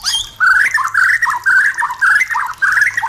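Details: White-rumped shama (murai batu) song, played to stimulate breeding and mating in caged birds: a series of short, harsh, slurred phrases near the same pitch, repeated about twice per second with brief gaps.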